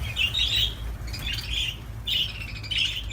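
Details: Budgerigars chirping: short, bright, slightly buzzy chirps in separate bursts about every half second to second, against a constant low droning hum.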